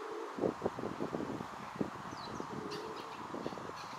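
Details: Rock doves busy courting females and feeding, 23 May 2024 around 2:23 pm, give low, muffled coos in short repeated bursts, with soft scuffling and a steady background hiss.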